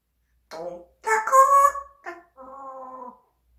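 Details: Pet parrot speaking a short run of word-like syllables ending in a steady, flat drawn-out vowel, clear voice-like tones in a quiet room.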